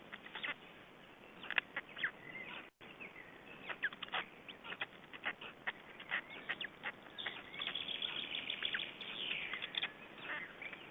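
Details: Black stork chicks being fed at their Estonian nest on 20 May 2012 give continuous excited chirping and ticking, with sharp clicks throughout and a rising, more sustained squealing chatter near the end.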